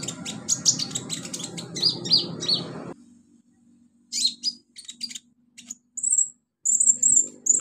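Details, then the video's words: Olive-backed sunbird singing in the wild in its native habitat: rapid high chips and downslurred notes, a short pause, then scattered sharp chirps and thin high whistled trills against a faint low hum. "kicau KONIN alam liar habitat aslinya"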